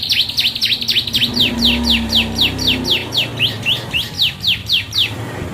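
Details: A yellow Bon canary delivers its Ciblek-style song as an even string of high, downward-sweeping chirps at roughly four per second. A faint low hum runs underneath.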